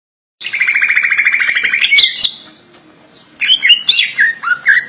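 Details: Kept greater green leafbird singing a song full of isian, learned imitations: a fast buzzy trill of about twenty rapid notes near one pitch, a sharp high note, a pause, then varied whistled and slurred phrases.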